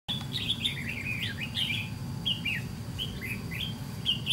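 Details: Red-whiskered bulbul decoy with white cheeks, used for trap-fighting wild birds: bright chirped phrases with quick up-and-down slurs, given in bursts throughout, over a steady low rumble.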